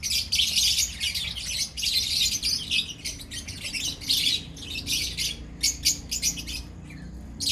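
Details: Flock of lovebirds from a colony keeps up rapid, high-pitched, scratchy chirping in repeated bursts. The chatter is nearly continuous at first and breaks into shorter, choppy phrases with small gaps toward the end.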